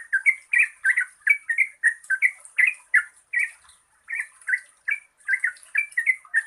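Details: Long chattering song of a yellow-vented bulbul, played to get quiet birds singing; rich bubbly notes delivered in quick uneven bursts with one brief pause midway, over a faint steady high-pitched hiss.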